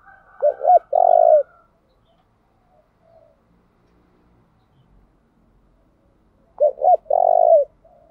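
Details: Spotted dove decoy bird switching coo patterns continuously to make wild birds call back; two coo phrases about six seconds apart, each two short low notes then a long trembling drawn-out coo, quiet between.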